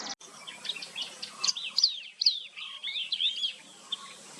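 Yellow-eyed babbler giving a quick run of high, twittering chirps and slurred whistled notes, busy and jumbled, with faint background hiss.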